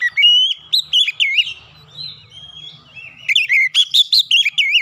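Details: Lure song of an Oriental magpie-robin, used to get quiet birds singing: bright whistles bending up and down, a long steady whistle in the middle, then a fast run of sharp rising and falling notes.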